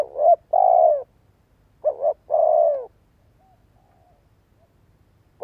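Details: Decoy spotted dove calling so that listening doves, including young birds, start cooing. Phrases of a short note followed by a long, hollow, mid-pitched coo repeat about every two seconds, with another phrase starting at the end. No other sounds are heard.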